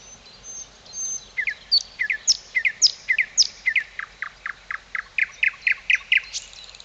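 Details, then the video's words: Birds singing in Tykocin, Podlasie region of Poland: high thin whistles at the start give way to a fast run of sharp chirped notes, steady and repeated several times a second, growing louder toward the end. "Śpiew ptaków"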